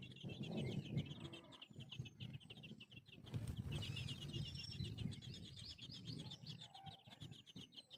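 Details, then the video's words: Birds at a nest with a parent pair caring for their chicks: a continuous rapid, high twittering chatter runs throughout, with several soft low thumps and rustles underneath. "보금자리. 새소리. 새둥지"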